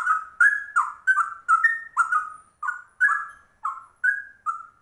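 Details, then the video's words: Rare yellow-vented bulbul (trucuk) singing a rolling cucak rowo-style song: loud, rich whistled phrases with falling and rising notes, repeated roughly twice per second in a steady, bubbling sequence. "Trucuk langka ropelannya cucak rowo"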